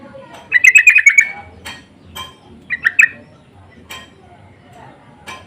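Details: Sooty-headed bulbuls exchanging insistent lure calls: a burst of about seven fast, harsh chattering notes, then a shorter three-note reply, with scattered faint clicks and ticks afterwards.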